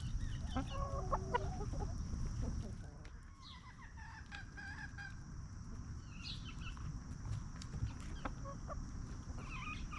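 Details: Free-range hens roam a backyard farm, scratching in dirt and snacking on treats. Soft harmonic clucks in a short run during the first three seconds, then sparse faint calls over a low rumble and a steady high hum.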